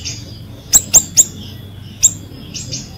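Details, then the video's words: Ashy drongo singing vigorously, used as a lure to get silent ashy drongos to sing again: three quick, sharp, high chips in a row, a fourth after a pause, then softer slurred whistles, over a low background hum. "siri siri gacor | cocok buat pancingan"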